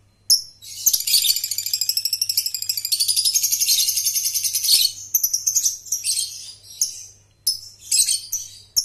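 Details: Lovebird trilling (ngekek) used as a training lure for young birds: a long rapid rattling trill of high buzzy pulses lasting about four seconds, then shorter chattering bursts and brief gaps, with a faint steady low hum.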